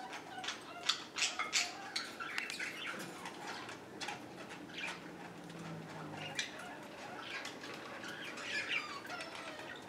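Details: A female budgerigar at the top of the pecking order, guarding a treat from other birds, chatters in quick, scratchy chirps and squeaks, bursting out irregularly several times a second.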